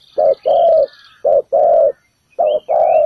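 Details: Decoy spotted dove at a ground trap, calling to draw other birds in: three pairs of deep coos, each a brief note followed by a longer drawn-out one, with soft high twitters in the background.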